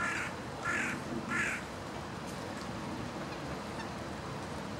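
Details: A Mallard × Muscovy duck hybrid (domestic parents) at Lake Bundek, Zagreb, Croatia, on 5 November 2014, gives three short, harsh, nasal calls about once a second, then falls quiet over steady background hum and noise.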